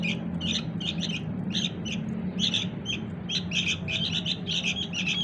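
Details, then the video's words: Sooty-headed bulbul chick calling to bring its parents in: busy clusters of short, rasping chirps repeated throughout against a noticeable low mechanical hum. "suara anak burung kutilang"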